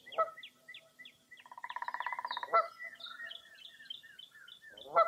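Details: Early April birdsong in fog at Mirror Lake State Park, Baraboo, Wisconsin. A string of quick high chirps runs throughout, broken by a buzzy pulsed trill and loud harsh calls.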